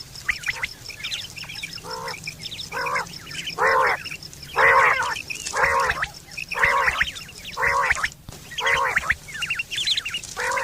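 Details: Quail, recorded September 2023, with a common call used for hunting and mating: a steady run of nasal, stacked bursts about once a second for ten seconds. High twittering notes and a low hum sit beneath.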